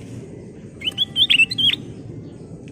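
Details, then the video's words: Ruby-throated bulbul (kutilang emas) song used as a lure: a rapid string of liquid whistled notes over a steady low background hum. "Kicau Burung Kutilang Emas full isian"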